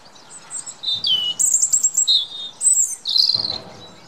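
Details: Robin redbreasts in song in the UK: a rapid sequence of sweet, high-pitched warbles and thin sliding whistles, phrases broken by short pauses, loud and close.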